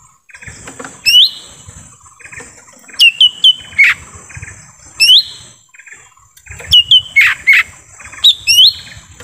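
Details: Lesser green leafbird heard in forest, recording to attract wild birds: sharp descending whistles and rising slurred notes, plus a few lower harsh chips, grouped in bursts repeated every couple of seconds.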